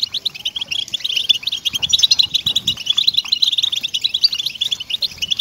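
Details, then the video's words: {'caption': 'European goldfinch song for stimulating captive goldfinches to sing: dense, rapid twittering of high, jangly chirps and trills, running without pause, with faint low murmurs beneath.'} "ESTIMULADOR DE JILGUEROS"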